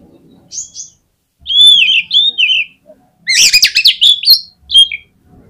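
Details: Loud oriental magpie-robin song meant to stir other magpie-robins into full singing: clear whistled slurs, then a dense run of buzzy, rapidly modulated notes, finishing with a short falling whistle, all at high pitch with little background noise.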